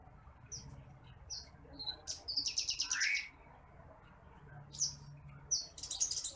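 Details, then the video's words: Branjangan apung (titimplik) bush lark, a rice-paddy bird, in a masteran training recording: isolated high chirps building into a loud buzzy trill with a descending slur, then further trilled bursts. "MASTERAN BURUNG BRANJANGAN APUNG (TITIMPLIK)"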